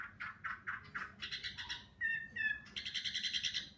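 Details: Fighting hwamei, wild-caught and caged for one season, giving 'hót xòe' song: a run of short rhythmic notes, then sharp ringing whistles and a rapid rattling trill, over low background hum.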